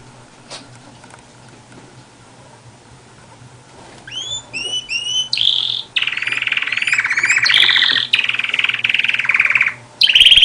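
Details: Canary singing: after a quiet start, a run of repeated rising slurred whistles, then long, fast, buzzy rolling trills held at a steady pitch, broken by short pauses. A faint low hum sits underneath.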